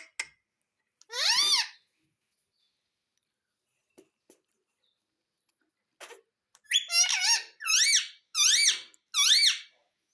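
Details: Indian parrot kept as a pet, said to talk and say "mummy": a drawn-out harmonic call, then four short, rising, nasal harmonic notes in quick succession, with faint clicks between them in a quiet room.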